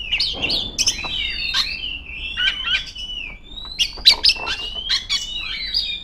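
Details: A female Oriental magpie-robin sings to summon rivals, giving rich whistled phrases, a long rising whistle midway and bursts of sharp staccato chips.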